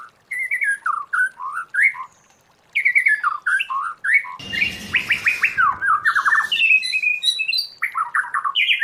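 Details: White-rumped shama wild-voice song for training: quick varied whistled notes rising and falling, a pause, then a hurried series of rapid descending notes with harsh noise behind, more whistled phrases following.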